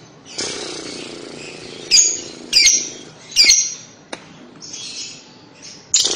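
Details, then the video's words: Lovebird kekek chatter, played to coax young lovebirds into calling: scattered sharp, high chirps and short squawk bursts every half second to second, with quieter buzzy chatter between them. "pasti lovebird paud akan nyaut dengar kekek an labet ini, cara jitu pancing labet paud bunyi"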